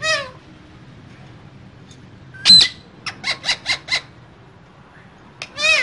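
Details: Caged pair of green parrots: a descending squawk, one sharp loud screech, a run of four or five quick harsh chatter notes, then another falling squawk after a pause.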